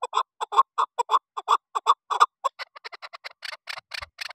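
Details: Female chukar partridge uttering loud clucking chuck notes for about two seconds, then switching to quicker, thinner, higher-pitched chattering notes that run to the end.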